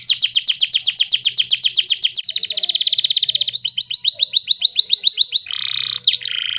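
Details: Song of a canary, meant to prompt other birds to sing along: long fast trills of repeated sweeping chirps, about four per second, changing tempo, ending in a buzzy rattle.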